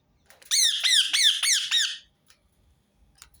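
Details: Five piercing, raspy screeches from a rose-ringed parakeet in quick succession, roughly one every third of a second, each note arched and falling, then near silence, repeated to encourage other birds to sing.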